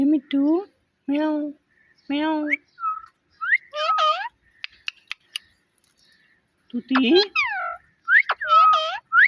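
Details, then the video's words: Talking pet parrot: three steady, low, harmonic meow-like calls, evenly spaced, then bright rising and falling word-like syllables, a few soft clicks and a last burst of chattering notes. "Cute Talking Parrot"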